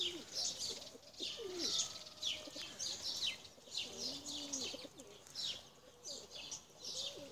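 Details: Flown tumbler pigeons; a series of smooth, low, bowed coos, some rising and falling, under rhythmic bursts of high chirping about every half second.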